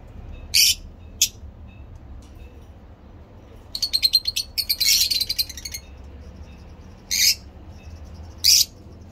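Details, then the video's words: Captive breeding lovebirds let out shrill squeaky chirps: two early single notes, then a rapid rattling run of short calls mid-way, then two more lone shrieks. "Lovebirds singing lovebird talking"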